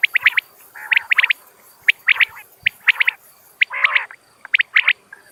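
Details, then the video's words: Common quail natural call for hunting. Groups of two to four sharp, high notes repeat about once a second, with a couple of short, raspy bursts and faint background hiss. "بٹیر کی صاف آواز | Common Quail Calling Sound"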